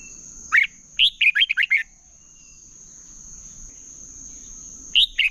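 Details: Red-whiskered bulbul competitive song, used as a decoy to train and rouse birds to sing: a short bright note, then a quick run of five warbled, bubbly syllables, another phrase starting near the end, over a constant thin high whine.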